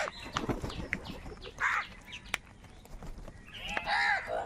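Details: Crows competing for food, giving scattered harsh caws, one loud burst early and a longer drawn-out caw near the end, over clicks and general background noise.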